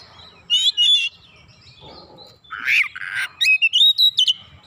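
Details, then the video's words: Kacer, or oriental magpie-robin, responding at once and insistently with its isian: two bright chattering bursts, a pause, then rasping notes and a fast string of clear, stepped whistles. "Kacer langsung nyaut ngotot bongkar isian"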